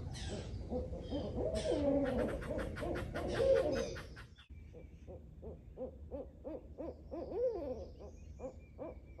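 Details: Two barred owls on an active morning in a backyard nature preserve, calling in a loud excited series: rapid arched hoots and drawn-out wavering notes, then a long run of quick rhythmic hoots with a descending slurred note near the end.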